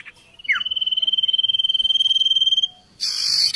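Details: Songbird training tutor recording of an oriental magpie-robin: a quick downward slur into a long, high, pulsing whistle held about two seconds, ending in a harsh buzzy burst.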